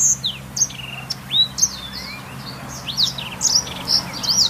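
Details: Blackthroat singing, recorded as lure and tutor song for canaries: a string of high, clear whistled phrases with rapid up- and down-slurred notes and short trills, a low steady hum beneath.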